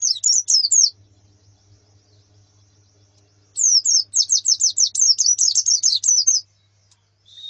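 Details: Female and colony white-eyes calling, used as song therapy for males: a short high twitter, a faint pause, then a long, even string of sharp, thin chirps about four per second.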